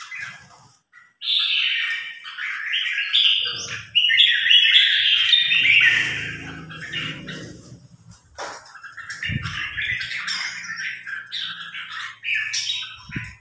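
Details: Caged red-whiskered bulbul newly acquired and set to compete against a top-ranked provincial bulbul: bright warbled phrases of chirpy, rapid notes, pausing and resuming, with low thumps, a man talking and faint music.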